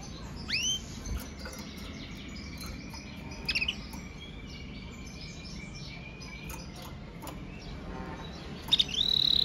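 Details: Song of a Red Mosaic Agate canary: a rising whistled sweep, a long thin sustained tone, brief chattering notes, and a final bright upslurred whistle over low background noise.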